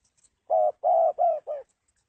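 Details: Spotted dove giving a single cooing phrase of four soft, low hooting notes, the second longest and the last shorter and fainter, with no other sounds.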